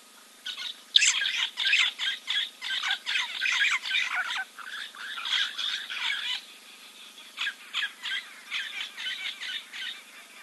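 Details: Giant kingfisher preening beside Kings Camp waterhole in Timbavati Game Reserve, Kruger National Park, South Africa, 04.02.2024, live camera; long, dense chattering series of coarse notes, then shorter spaced bursts.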